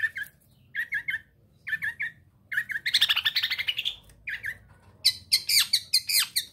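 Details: Young East Java long-tailed shrike in breeding condition, wanting to mate, singing eagerly: short clusters of sharp notes repeat about once a second, broken by a harsh, buzzy rattling burst, then a run of shrill, scratchy chirps.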